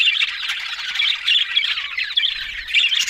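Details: Pet budgerigars chattering nonstop, a tangle of fast high chirps, raspy squawks and warbled notes with no pauses, plus faint low knocks toward the end.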